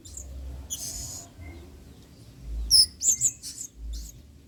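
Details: Adult male blue-crowned hanging parrot giving vigorous 'main singa' song as a training model: a few faint high chirps, then a quick cluster of four or five very high, thin squeaks near the end, over a low hum.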